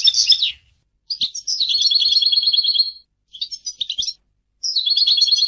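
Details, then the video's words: European goldfinch singing bright chirps, then a sustained, evenly pulsed buzzy trill, more short twitters after a gap, and another buzzy trill at the end. "Goldfinch singing - canto del cardellino"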